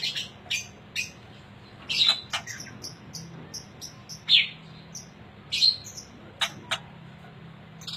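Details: Murai aceh, a prized white-rumped shama from Aceh, sings loud piercing whistled notes and quick chips with sharp clicks spaced through the phrase, over a constant low hum.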